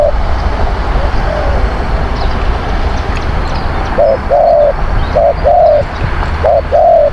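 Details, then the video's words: Spotted dove cooing, used to lure wild doves: faint coos at first, then three clear phrases of a short coo and a longer coo in the last three seconds, over a steady low engine-like rumble. "ต่อนกเขาใหญ่ เสียงนกเขาใหญ่"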